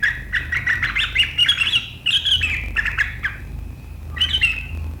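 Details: Sooty-headed bulbul in the sharp chattering 'gacor riwikan' song style, which is meant to set rival birds chattering too, recorded 7 April 2023. Dense bursts of harsh chirps and short warbled notes tumble together, with a steady low hum underneath.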